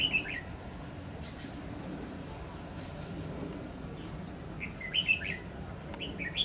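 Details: Red-whiskered bulbul heard during a 21/9/2019 trapping session with a decoy bird: short, bright chirping phrases at the start and again near the end, over steady low rumbling background noise.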